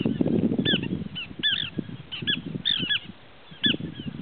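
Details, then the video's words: Small pratincole notes: crisp, high, downward-slurred chirps in small groups of two or three, with pauses between, over intermittent low rumbling noise. "Call of Small Pratincole | Glareola lactea | छोटा आली"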